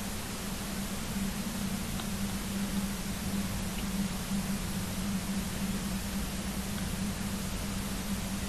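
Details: A steady low electrical hum runs under broadband hiss throughout, with no calls heard.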